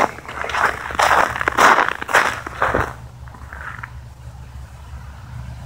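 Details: Loud crackling and rustling bursts, like footsteps on dry ground, fill the first three seconds, then fade to quiet background hum with no hooting heard.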